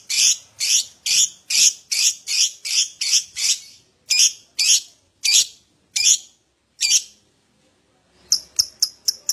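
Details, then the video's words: Lovebird ngekek song used to prompt other lovebirds into singing: a long series of loud harsh chattering notes about three per second, slowing with gaps, then a quick burst of short chips. "Pancingan Love Bird Agar Cepat Ngekek"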